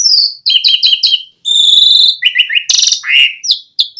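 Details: Lure song of the Asian pied starling to make other starlings sing: a series of paired squeaky whistles, a long harsh buzz, then chattering notes, a raspy burst and upslurred whistles.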